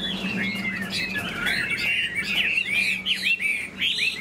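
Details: Wing-flicking, tail-flicking caged Chinese hwamei with a fanned tail delivers a lively jumble of clear whistles, rising and falling slurs and short chattering notes, quickening toward the end, over a faint low hum.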